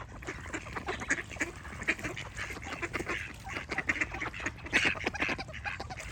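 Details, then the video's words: A group of ducks giving frequent nasal, buzzy quacks over continuous flock noise, calls bunching into loud bursts toward the end. "Relaxing Duck Quack Sound Effects"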